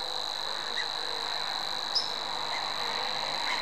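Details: A Savi's warbler reels on in a flat, high, insect-like buzz that never varies, while a single sharp chip and faint chirps from other birds sound over steady background noise.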